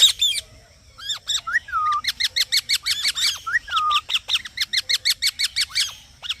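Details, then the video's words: Green parrot giving fast trains of bright, high chirps mixed with a few lower, whistled, down-slurred notes, chattering almost continuously with brief gaps. "Green Parrot Chirping Sounds"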